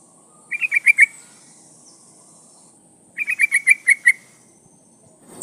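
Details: Sooty-headed bulbul female, in breeding condition, calling the male: two crisp bursts of five or six rapid, bubbling notes about two and a half seconds apart, with near silence between them.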